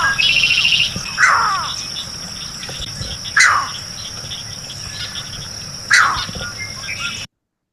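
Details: A Green Heron, recorded in the field while practicing recording technique, gives sharp, downslurred calls spaced a couple of seconds apart over steady insect hum.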